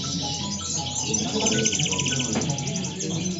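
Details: European goldfinch song in the moderna style from El Prat de Llobregat: short pure whistled notes mixed with repeated fast buzzy trills and liquid twitters, over a low rumbling background.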